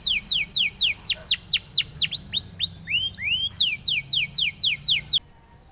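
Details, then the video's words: Training song of a Spanish timbrado canary: repeated falling whistled slurs, four per second, shifting to rising sweeps, then back to fast descending notes before stopping abruptly. "SPANISH TIMBRADO SONG FOR TRAINING - canary training song"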